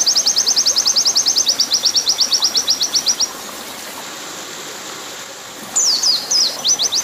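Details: Oriental white-eye 'nembak panjang' master song over a running-water backdrop: a quick high trill of chips fades out after three seconds, a hissing gap follows, then looping down-slurred whistles return near the end.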